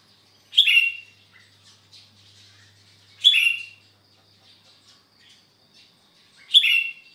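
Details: Gacor kutilang, or sooty-headed bulbul, heard on a Sunday morning in Sukanegeri, OKU Timur: three punchy, warbled phrases about three seconds apart, with scattered faint chirps from other birds between them.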